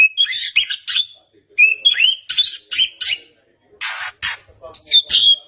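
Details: Provocation song of a white-rumped shama meant to draw a reply: quick whistled and slurred notes mixed with harsh scratchy bursts, delivered in short choppy phrases.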